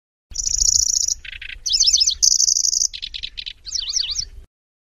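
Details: Lanceolated warbler song, loosely spaced and grasshopper-like, with trills and sharp shots: very high buzzy reeling bursts alternate with lower rattling trills and zigzag twittering phrases, then stop abruptly.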